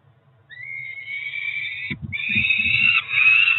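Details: Begging of Peregrine falcon nestlings, two chicks roughly four weeks old at the Cromer nest, filmed by nest camera at feeding time in early June; a rising wail grows into a long continuous harsh screech, with brief low thuds beneath.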